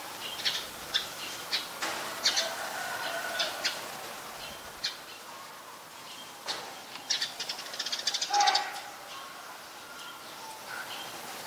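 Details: Scaly-breasted munia in Ubon Ratchathani, Thailand, 31 December 2020, a very common resident: short high chirps in scattered bursts, a cluster early and a denser run of quick notes near the end, mixed with soft fluttering sounds.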